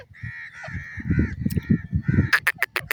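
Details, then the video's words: Iranian partridge, a female with her chicks: drawn-out nasal harmonic calls repeated in a run, then a burst of sharp clicking sounds, over heavy low rumbling noise. "beautiful sounds of the Iranian partridge and its chicks,teeter madi ki awaz"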